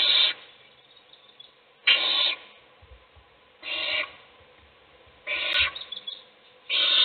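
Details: Nest-box owl scene, adult feeding a chick while other chicks sleep; five raspy hissing screeches spaced about one and a half seconds apart, with faint soft rustling between them.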